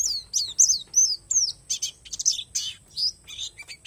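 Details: Oriental white-eye of palas Borneo type giving isian alam song: loud, high, sweeping whistled slurs in close succession, broken by rougher buzzy chirps, very lively and fast.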